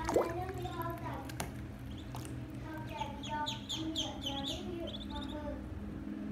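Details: Baby ducks peeping: a run of thin, high, quick peeps cluster over a few seconds, above steady low hum and background rustling.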